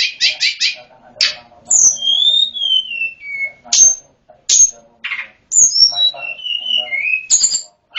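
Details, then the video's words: Snowy-browed flycatcher singing with lively, varied phrases for training other birds: rapid buzzy trills, then long gliding whistles sliding downward, sharp high notes and more descending whistled slurs. "Masteran sulingan gunung full isian || Tledekan gunung gacor || Sulgun nyuling-nyuling"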